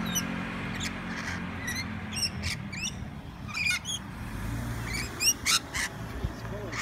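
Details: Wild rainbow lorikeets, common and noisy birds in Sydney, giving a busy stream of short, sharp, rising chirps and squeaky notes, several birds overlapping, over a low hum of distant traffic.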